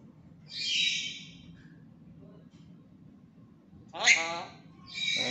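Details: Tame, talking black-capped lory: a harsh screech, a pause, then a burst of speech-like chatter with a squawk, and another rough call at the close.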